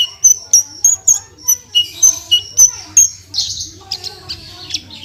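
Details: Javan bushlark (branjangan) giving gacor-style song with tembakan bursts, used as tutor material: clipped high whistled notes repeated about three times a second, then a buzzy, scratchy warbled phrase over a faint low hum.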